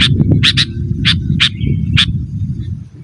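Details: Sooty-headed bulbul in lively full song, used to call rivals and lure wild birds in forest and as a master recording for caged birds; short bright bubbly notes repeated at irregular intervals over steady low rumbling background noise.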